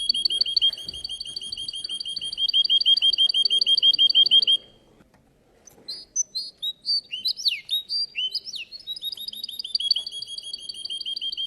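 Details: Russian canary competing in a singing contest, delivering long fast trills of bright repeated notes, pausing briefly, then resuming with swooping slurred whistles before returning to rapid rolling trills; faint background chatter underneath.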